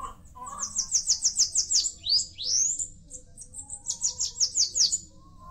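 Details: Bananaquit, known locally as caga-sebo, sibite or chupa-caju, singing: a rapid run of thin, very high-pitched buzzy notes, then a sweeping rising squeal, then another quick series of high notes. The background is quiet.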